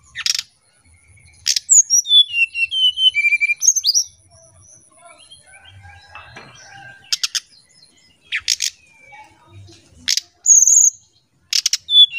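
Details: Oriental magpie-robin lure song in the whistled nyuling style: a rapid run of sweet descending whistles, then a quieter pause with faint twitters, followed by harsh buzzy bursts alternating with short bright whistled phrases.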